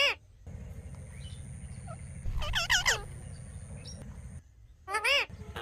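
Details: A talking parrot making natural sounds: a quick burst of rough, rising-and-falling squawks midway, then another loud harsh squawk near the end, over steady low hum and faint soft notes.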